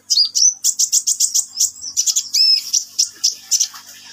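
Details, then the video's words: Sunbird singing vigorously with rapid, steady strings of sharp, very high chirps and short thin whistles, several notes each second. "KICAUAN BURUNG KOLIBRI NINJA GACOR"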